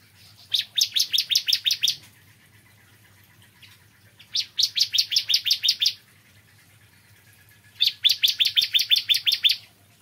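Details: Morning song of a bar-winged prinia, known locally as ciblek kristal: three separate bursts, each of roughly eight to ten rapid, sharp, high chirps, separated by quiet pauses of about two seconds.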